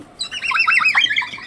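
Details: Cockatoo on a day when a sleet storm hit after sunny weather, giving a harsh, raspy squawking burst of about a second with a rough, chattering, noisy texture.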